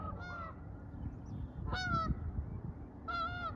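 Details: A very vocal Canada goose on a riverbank near Saskatoon, Saskatchewan, on May 15 gives three loud, nasal honks about 1.5 seconds apart, each with a slight upward inflection, over a low rumble of wind or water.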